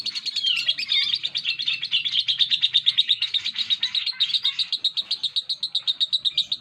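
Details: A lovebird delivers a long unbroken ngekek: a high, rapid stream of sharp chirping pulses running nonstop for nearly seven seconds.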